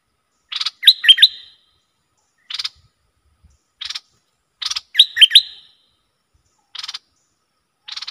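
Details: Fired-up bulbul used to lure rival wild birds: harsh buzzy rattles alternate with short bursts of three quick, gurgling whistled notes, repeated about every four seconds.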